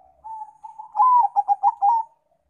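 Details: Lure song of a zebra dove of Bangkok or local type: a soft level hum swells into a loud cooing phrase, a rising-falling note followed by three quick throbbing pulses and a drawn-out closing coo.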